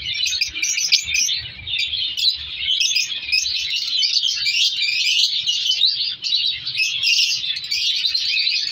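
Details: Color African lovebirds kept as a breeding colony chatter nonstop, a thick layer of rapid shrill chirps and scratchy notes from many birds at once.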